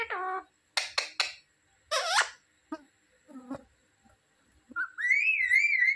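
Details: Hindi-talking parrot, said to say "mummy", "papa" and "mithu", gives a few clipped speech-like syllables and soft clicks, then a sustained high, wavering whistled note at the end.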